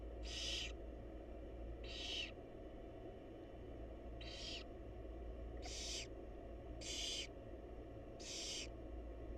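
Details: Barn owl mother with babies: six harsh, broadband wheezing screeches at uneven intervals, each under a second, with a droning low hum throughout.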